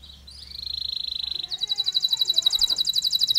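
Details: Canary singing a long song with pauses, played as a lure to stimulate stressed canaries; a high, steady whistled note held for about a second, then a fast buzzy trill of rapidly repeated notes.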